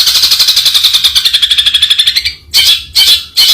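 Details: Long-tailed shrike (Lanius schach) giving a rapid rattling series of harsh, buzzy notes, about two per second and steady in pitch. The series runs for two seconds, then three loud separate rasping bursts follow.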